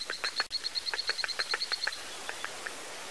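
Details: Cardinal woodpecker, a territorial male on a sunrise safari drive on 7 August 2016, gives a quick run of about fifteen sharp, high notes fading out over a quiet hiss. The guide says this call indicates bees nearby.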